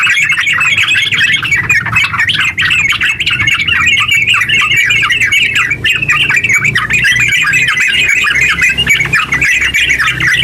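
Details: Long, unbroken song of a yellow-vented bulbul, used as a lure to stir other bulbuls into singing: a dense, loud stream of chattering, squawky notes with no pauses, with a steady background murmur below.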